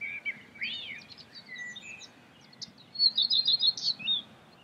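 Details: Common redstart, Phoenicurus p. phoenicurus, heard in France at Escherange in May 2016. A falling whistled phrase leads to scattered high notes, then a quick, rhythmic chattering series near the end.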